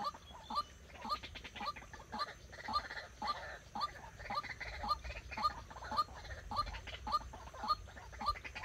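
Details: Decoy white-breasted waterhen used for trapping, in training: a long, even series of harsh croaking notes, each with a sharp bright tip, delivered roughly twice a second without pause over a faint hiss.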